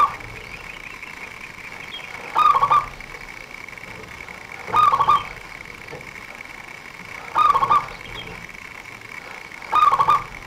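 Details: Zebra dove singing, a song used by trappers as a lure: four brief rolling coos at regular intervals of about two and a half seconds, amid continuous background hiss and a steady whine.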